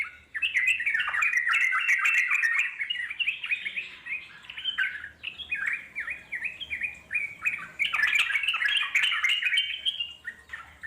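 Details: Long ngeropel panjang chatter of wild trucuk, the Yellow-vented Bulbul: lively run of bubbly sliding notes, about three to four per second, softening around the middle and swelling loud again before fading.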